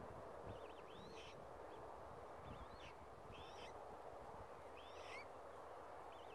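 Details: Young Australasian swamphens calling at Tamar Island Wetlands in October 2018. Brief squiggly high peeps and short rising notes come in scattered groups, soft against constant low-pitched ambient noise.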